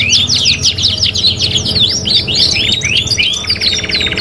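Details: Canary in full 'gacor' song on a 3-in-1 training master, rapid repeated upslurred whistles blending into a dry, buzzy trill near the end, loud and unbroken, with faint low hum underneath.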